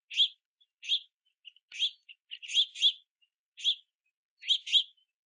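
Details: Juvenile house finches chirping below and on a platform feeder in the rain while parents gather sunflower seeds; loud high chirps about once per second, some doubled, with faint softer notes between.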